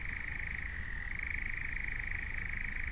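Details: Continuous fast churring of a European nightjar on a Norfolk heath, an even rattling trill with a slight pitch wobble, set against a deep low rumble.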